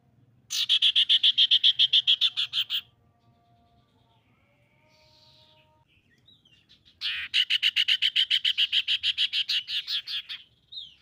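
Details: Common iora, described as a female, singing a lure song to draw rivals into song: two bursts of fast, even, buzzy trilled notes, each lasting about two to three seconds, separated by a quiet gap with faint tones.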